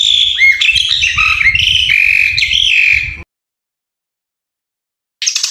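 An ashy drongo gives a fast, varied run of clear whistles and harsh chattering notes for about three seconds, falls silent, then briefly resumes.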